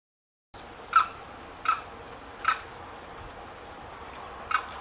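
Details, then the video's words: Limpkin (Aramus guarauna) at Lagunas de San Vicente Nature Reserve, Buenos Aires Province, Argentina, 9 December 2017, giving four short, harsh calls about a second apart over a steady high insect-like hiss. "Carau (Aramus guarauna): VOZ"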